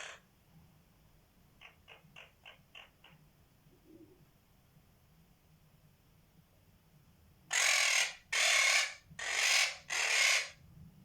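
A Quaker parrot gives a few soft clicking pulses, then four loud, harsh, raspy squawks in quick succession.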